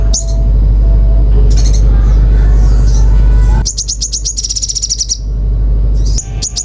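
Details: Common iora singing in a lively, prolific way. A few high sharp notes open, then a stretch of faint sweeping sounds over a strong low hum, then a fast high trill of rapid repeated notes and closing chips.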